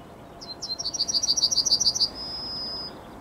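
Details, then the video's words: On the morning of 9 May 2021 a Yellowhammer sings: short lead-in notes, a quick string of around twelve piercing repeated chirps, and a sustained high final tone fading after nearly a second. "Trznadel i jego poranny śpiew."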